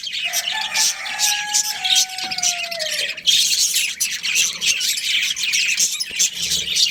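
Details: Budgerigars of a breeding pair warbling in fast high chirps, while a steady whistled tone holds for about three seconds and slides downward at the end beneath the chatter.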